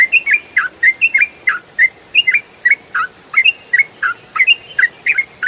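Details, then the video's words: Ropel-style song of the trucukan (yellow-vented bulbul), played to tutor songbirds: an unbroken, busy string of clear whistled notes, mostly in quick pairs, rising and dipping without pause. "MASTERAN TRUCUKAN ROPEL FULL SUARA JERNIH"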